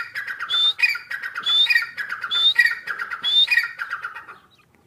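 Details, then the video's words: Feeding grey francolin chicks give a steady chatter of chirps, with a sharp high whistled note recurring about once a second over rapid lower descending notes, fading out at the end. "Teetar Chicks feed | teetar ki awaz | teetar bachon ki khurak"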